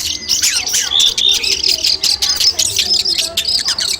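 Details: Training recording of Long-tailed shrike song, meant to test a bird's nerve before competition: busy high chatter with a few clear level whistles and squeaky trills running without a break.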